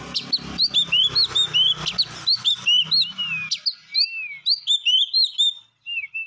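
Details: Songbird singing a lively, varied phrase of short clear whistled notes, many sharply rising or falling slurs, delivered in quick bursts and pausing briefly; a faint low rumbling background fades out midway.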